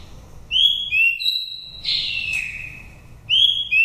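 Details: Oriental magpie-robin, a wild Dak Lak bird of five moults with pure forest voice for luring: loud, clean whistled notes, paired and slurred, a longer warbled middle phrase, then two more crisp whistles.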